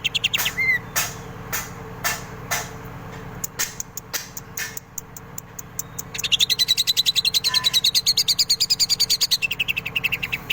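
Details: Greater green leafbird in full song with kingfisher song phrases woven in: sharp clicking notes and brief whistles at first, then a long, fast series of evenly repeated ringing notes, many per second.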